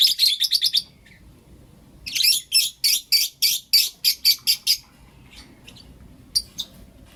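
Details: Blue Opaline and Lutino Opaline lovebirds calling in the morning: a quick burst of shrill notes, a pause, then a steady series of about a dozen loud, evenly spaced high chirps, and a final short pair.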